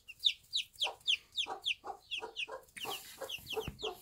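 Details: Bantam mother hen with her one-day-old chicks in a backyard on a small farm; high, thin descending peeps repeat rapidly about every third of a second over soft, lower clucks, with a brief rustle near the end.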